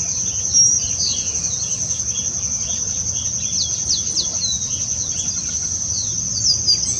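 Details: Female Chestnut-capped blackbird collecting nest material; short sharp chirps and quick downslurred notes scattered through, set against a steady high insect drone.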